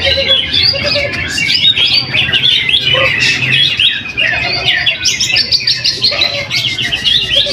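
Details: Caged greater green leafbird singing in a weekly practice contest at Trowulan, Mojokerto, Indonesia, where it took first place. Rapid, varied, twittering high notes pour out continuously, and lower whistled notes and crowd murmur sit behind.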